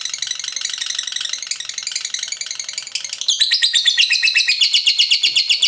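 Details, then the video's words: Lovebird ngekek: a blurred, rough high chatter at first, then sharper, clearly separated buzzy pulses in fast even rhythm during the last half. "LOVEBIRD FULL NGEKEK"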